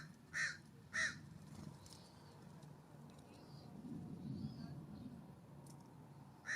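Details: California Scrub-Jay visiting a ground feeder on a warm September morning, uphill from a cabin; two hoarse, rasping calls close together, a pause filled with soft rustling and faint high chirps, then another rasp.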